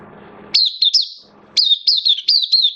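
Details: Oriental white-eye kept as a singing hobby bird, recorded 11 September 2022 in slightly dipped form: two short high phrases of sharp, looping whistled chirps, entering abruptly after low background rumble.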